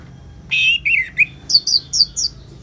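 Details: Orange-headed thrush singing ngeplong, a therapy track for prompting kept birds to answer: a loud, rich slurred whistle, two lower warbled phrases, then a string of five thin, high chirps.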